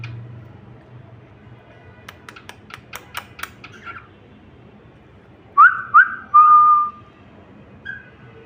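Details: Cockatiel whistling indoors: after a few soft taps and clicks come two short upward-flicking whistles, then a longer clear whistle sliding slightly down, and a faint final note, over a low steady hum.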